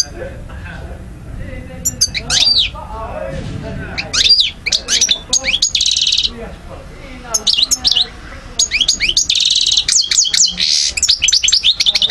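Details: European goldfinch recorded in Algeria in 2012, singing a long, lively run of liquid twitters, fast rattled trills and buzzy notes, with a few brief gaps between rapid bursts.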